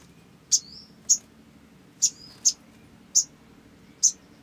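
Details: Olive-backed sunbird, used as a lure to prompt other sunbirds to sing: sharp high chips spaced about half a second to a second apart, with a couple of thin downslurred whistles between them, over a faint low hum.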